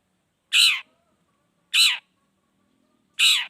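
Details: Long-tailed shrike "toet toet" call used as a lure to prompt other shrikes to sing: three harsh, nasal, broad notes spaced about one and a quarter seconds apart, against silence.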